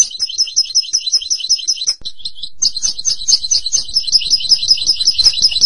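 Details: European goldfinch pouring out long, rhythmic trills of repeated bright notes, briefly broken by a short pause, over a noticeable low background rumble.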